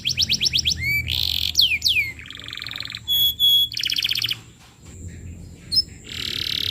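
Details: Canary lure song for young canaries: quick series of short notes, swooping whistles, buzzy rattles and clear piping tones in changing phrases, with a quiet gap before a final buzzy trill.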